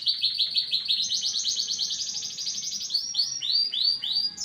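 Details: Jumpy, emotional canary in full song: a fast rattling trill climbing to a higher tour of repeated notes, then slower arched chirps spaced about a third of a second apart.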